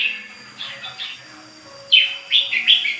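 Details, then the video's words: Continuous singing of a ché bird. Soft, muted warbles are followed by three loud, clear whistled bursts near the end. "CHIM HÓT CHÉ LIÊN TỤC"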